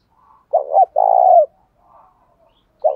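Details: Spotted dove coo used to provoke fighting and train decoys: one full phrase of two short notes and a long vibrating coo, faint quieter notes after it, and the start of another phrase at the end.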